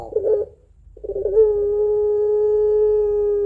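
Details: Puter pelung dove, a lure bird for other doves, opens with a bubbling throaty burst, falls silent briefly, then holds one long smooth mournful note steady to the end.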